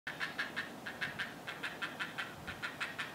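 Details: Great blue heron chicks whining at their nest in a longleaf pine because they lack proper food: a rapid, regular series of short, mid-pitched clucking cries, roughly five per second.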